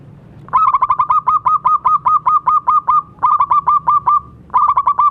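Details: Local zebra dove (perkutut) in full voice, played to prompt silent doves to sing: long runs of quick, bubbling mid-pitched notes rolled in rapid succession, broken by two short pauses, with a faint low hum beneath.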